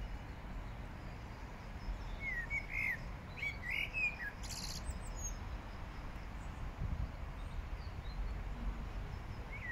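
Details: Song thrush in Regent's Park, London, giving a few short, clear whistled phrases in quick succession, then pausing, over a steady low rumble of distant traffic.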